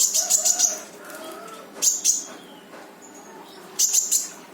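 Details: Konin, the brown-throated sunbird, singing gacor with full tembakan to coax a reluctant bird into song: a quick run of four buzzy high chirps, a pair midway, and a trio at the end over faint low warbling.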